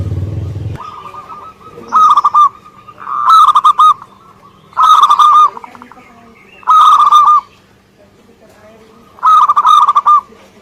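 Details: Lively song from a local Indonesian zebra dove: five loud stuttered coo phrases spaced about two seconds apart, with a short low thump at the very start and a faint hum.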